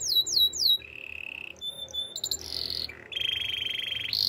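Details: Belgian canary singing a powerful training song: quick repeated descending whistled sweeps, then a long steady flat whistle, brief high piping notes, and a rapid rolling buzzy trill that carries to the end.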